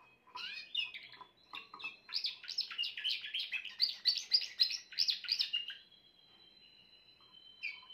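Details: Grey Timbrado canary singing: a dense run of rapid, rolling trills and chirps, pulsing several times a second, with a thin steady whistle running under it and a soft final note after a pause.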